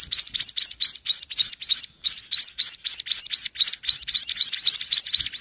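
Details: Munia chicks being fed by a parent toward evening give rapid, high chirps, each a quick upward-sweeping squeak, about four per second in a steady, insistent run. No other sounds.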